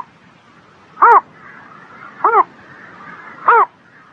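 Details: Three hoarse, clipped calls from a bird on a spring morning, each about 1.2 seconds apart, over a low steady background hiss.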